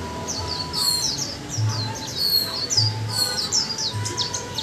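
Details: Japanese white-eye, caged for one month and kept as part of a pair, delivers a continuous high twittering chatter of quick thin slurred notes, with faint low background hum.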